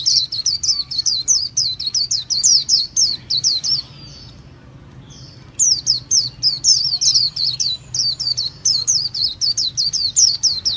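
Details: Long sequence of sharp, high notes repeated in quick succession by a Japanese white-eye, broken by one pause of about a second before the rhythmic chirping resumes.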